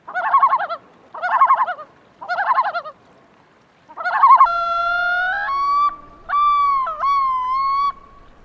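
Common Loon: four quick quavering tremolo bursts, then long mournful wailing notes that hold, break and leap between pitches.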